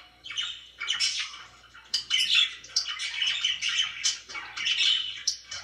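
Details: Pet budgerigars indoors chattering in a steady stream of scratchy warbles and chirps, rising in loud bursts, faint mains-like hum underneath.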